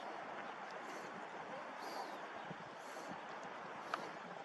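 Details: Steady outdoor rush of wind and water noise with a faint distant engine hum and one short click, with no animal call standing out.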